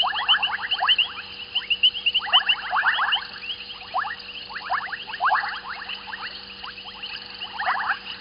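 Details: White-faced whistling ducks calling at dusk, 19:35 on 14 January 2021, at Gowrie dam waterhole, Djuma Game Reserve, Sabi Sand, South Africa, from a live waterhole camera. Dense runs of short rising whistles repeat in several bursts, with a steady low hum.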